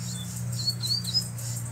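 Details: Wild black double-collared seedeater with bluish-white bill singing hard; thin, high whistled notes slur up and down in a quick run, with a constant low hum and buzzing insects behind.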